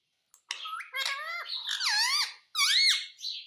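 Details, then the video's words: Pet Indian ringneck parakeet calling indoors: three loud, harmonic, wavering squeaky squawks, each swooping down and up in pitch, the last one after a brief pause. "Parrot voice"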